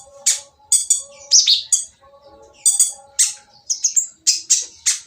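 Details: Oriental magpie-robin singing harshly to provoke other magpie-robins: spaced loud scratchy bursts with buzzy rattles, a short pause, then more rasping notes and a brief high whistled phrase.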